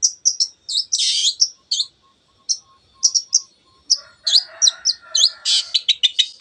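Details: Long-tailed shrike in full song, played to provoke other birds into singing: a quick, varied run of sharp high chips, whistled notes and short harsh bursts, growing denser and more scratchy toward the end.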